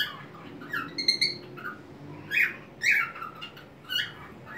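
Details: White-faced cockatiel singing indoors on a homemade swing in a small crate, swaying with wings open; short whistled phrases with strong harmonics, spaced unevenly, fairly quiet against a low room hum.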